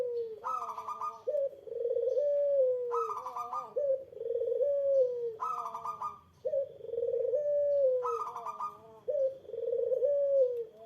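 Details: Barbary dove, to provoke a rival's reply: low rolling coos that dip and swell, repeated roughly every two to three seconds. They alternate with loud, sharp, harsh bursts pitched well higher.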